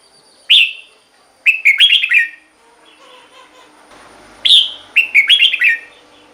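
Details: Red-whiskered bulbul song, played to stir caged birds or for luring. A short sharp note opens each of two phrases. A rapid bubbly run of warbled notes follows, and the phrases come about four seconds apart.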